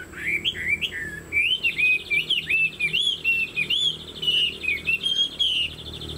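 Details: Chinese hwamei (họa mi) in a cage, shown with a spread tail and upright stance: continuous rich song of slurred whistles, quickly repeated looping notes rolling on without pause.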